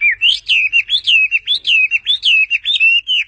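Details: A hand-held pet bird sings a steady chain of slurred, looping whistles, each rising and then falling, repeated nearly twice a second with no gaps.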